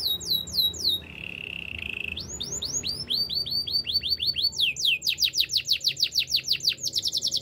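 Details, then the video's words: Canary singing quick repeated high downsweeping notes, a level buzzy trill held for about a second, then rising and falling whistled syllables repeated several times per second in long rhythmic runs. "Master canary singing make your canary will sing everytime"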